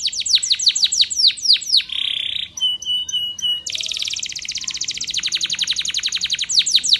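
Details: Falling whistled strokes from a Spanish Timbrado canary in a training song, then a short buzz, a few bell-like ticks, and a sustained fast metallic trill finishing with more descending sweeps.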